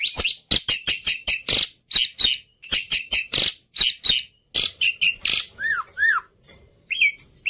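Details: Black-winged myna in song, used to provoke singing in other birds. A long run of harsh, rasping chacks gives way to clear, arched whistled notes repeated near the end.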